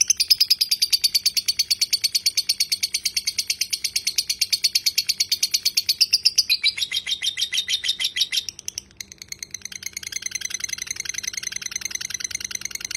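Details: Lovebird's long ngekek chatter for use as a song tutor: a rapid, rattling trill of high notes runs for about eight seconds, drops lower briefly, pauses, then resumes more softly.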